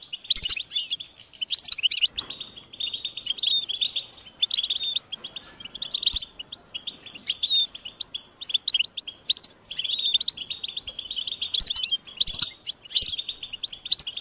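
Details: European goldfinch chicks begging for food from their parents with high, insistent calls: long runs of rapid thin chirps and twitters, broken by brief pauses and sharp ticking clicks.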